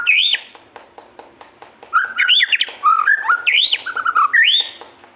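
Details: Lively white-rumped shama singing: a looping whistled note, a soft gap with faint clicks, then a run of varied slurred whistles, rising and falling loops and quick stepped notes, ending on a rising whistle.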